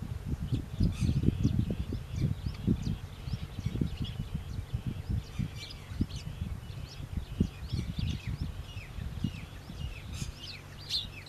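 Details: House sparrow chirping steadily, short high chirps repeated throughout, several birds seemingly overlapping, over a constant low rumble and rustling.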